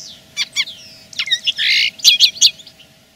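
Common linnet song: quick, high twittering chirps, a drawn-out whistle and a buzzy rattle, then bright metallic notes, over a faint steady hum.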